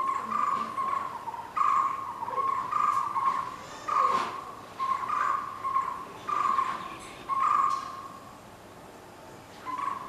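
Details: White-cheeked barbet (Psilopogon viridis) in Bangalore giving low, harsh croaking notes, about one every two seconds, over a steady murmur of background noise.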